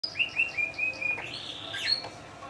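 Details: Kept Yorkshire canary in Indonesia singing a series of short whistled notes repeated about every fifth of a second, then a rising, sliding phrase ending in high bright notes.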